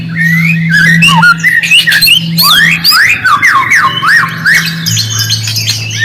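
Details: White-rumped shama song played as a lure for silent birds: loud zigzag whistles and quick chattering notes in a fast, varied stream, with a constant low droning tone beneath.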